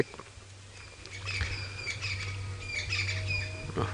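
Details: At sunrise on 27 August 2017 in the Sabi Sand near Kruger, South Africa, a blacksmith lapwing, unhappy with a male lion drinking at its waterhole, gives sharp metallic 'tick' notes in loose bursts over a low engine hum.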